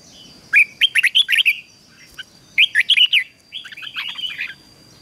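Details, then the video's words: Red-whiskered bulbul singing during training, loud fast bursts of warbled, slurred whistles around mid-high pitch, two phrases then a softer rambling phrase, with a faint steady high tone behind. "Luyện chào mào hót căng lửa"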